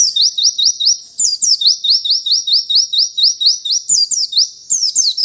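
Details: A young white-eye sings a fast, high run of upslurred whistled notes, about three a second, sweet and even, with faint clicks underneath.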